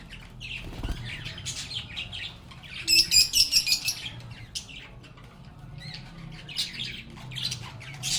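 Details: Lovebirds twittering at a constant background level, with a burst of rapid, evenly pulsed sharp chirps about a third of the way in and other birds chattering throughout.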